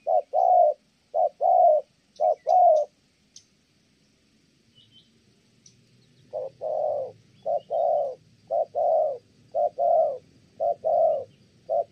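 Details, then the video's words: Kon Tum spotted dove cooing in thổ âm style: low paired hoots, then a pause of a few seconds with faint rustling, before the coos resume steadily; faint high chirps early on. "Thổ Âm Tốt, đang gù ngon thì mái phá đám"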